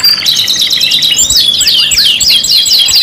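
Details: Canary singing in a five-in-one lure set: a rapid rattling trill shifts into loud curved whistles that drop in pitch. The whistles repeat roughly three times a second, bright and clear.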